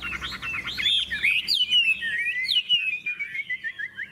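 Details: {'caption': 'A caged contest hwamei gives an unbroken flow of rich, rolling whistles, starting with quick repeated notes and settling into a smooth, wavering melodic stream that slowly fades.'}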